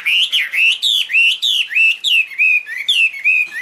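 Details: Chinese hwamei singing pure, ringing whistled notes with wavering, undulating pitch, about three phrases per second in a steady flowing series.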